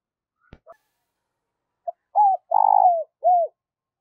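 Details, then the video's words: After a couple of faint clicks, a decoy spotted dove, used to rouse other doves into cooing, delivers one phrase: a short note, an arched coo, a long buzzy coo sliding down, and a rounded falling last coo. "Chim Cu Mồi/ cu gay kich boi nhanh noi gù"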